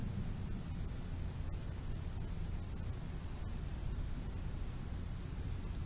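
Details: Dense, even static-like roar dominated by low rumble, with occasional faint crackles and no animal calls.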